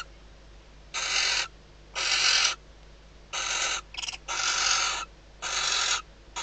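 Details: Female barn owl calling inside her nest box at Riet Vell Nature Reserve, Spain, shortly before the first egg hatches, as the male lands outside. Six harsh hissing screeches, one broken into a brief stutter.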